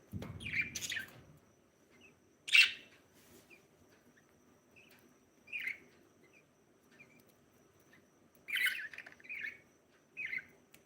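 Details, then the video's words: Budgerigar breeding pair chirping: scattered sharp chirps and brief chattering bursts across the clip, a soft low rustle at the very start, otherwise quiet indoors. "budgie chirping (SOUND)"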